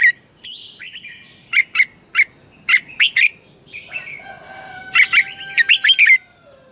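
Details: Red-whiskered bulbul singing fiercely in the morning as a lure for training other birds: a long series of loud, crisp chirped notes in pairs and runs, soft warbling and a brief low whistle between, and a steady high background whine.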